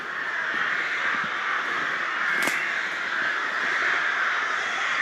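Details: At castle ruins in Bychawa, Poland, a loud, dense chorus of crows gives harsh caws that overlap into a continuous raucous roar.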